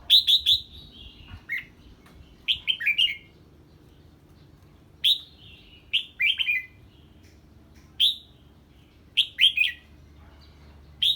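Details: Red-whiskered bulbul reacting to an unfamiliar bird with loud phrases of three or four quick, descending whistled notes, spaced by pauses of one to two seconds, over a quiet low background hum.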